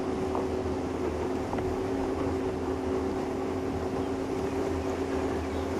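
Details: A steady, low engine drone from a vehicle or boat runs throughout, with no animal voices heard.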